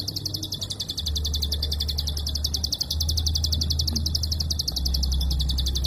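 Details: Prinia giving its klik call, long and tightly packed bursts with almost no pause, used as a training recording for songbirds: rapid, even, dry ticking notes, about four per second, over a steady low hum.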